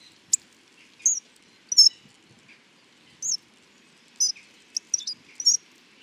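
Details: Hawfinch uttering a loose series of short, high, slurred whistles and hard ticks, some doubled, scattered across several seconds with faint background hiss.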